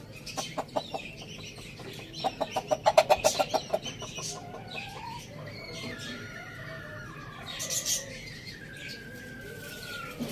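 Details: Pet rooster crowing loudly, kept with hens, chicks and budgies: a burst of rapid clucks, then a long drawn-out crow rising and holding steady before trailing off, with high budgie chirps in the background.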